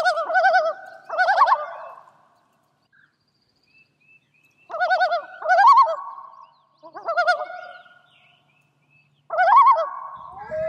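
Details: Loon tremolo calls: rapid quavering, laugh-like bursts in pairs, repeated about every three to four seconds with quiet gaps between.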